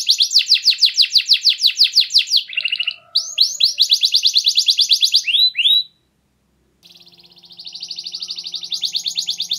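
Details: Canary in clear, lively song used to get other canaries singing: fast high trills, a brief lower buzz, more rolls and curved notes, a short pause, then a rising trill over a faint hum.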